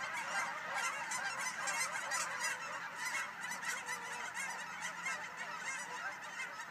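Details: Geese taking off in a large flock at William L Finley National Wildlife Refuge, filling the air with massed, overlapping honking and cackling that swells and ebbs without a break.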